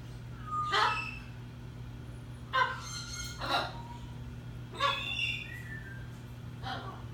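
An Eleonora cockatoo gives five harsh, raspy squawks spaced a second or two apart, over a steady low electrical hum.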